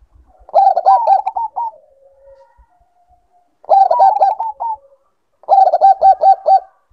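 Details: Zebra dove of the Bangkok strain, sounded to raise breeding condition. Three bursts of quick stuttering coos come roughly every two and a half seconds, with soft drawn-out low notes trailing between them.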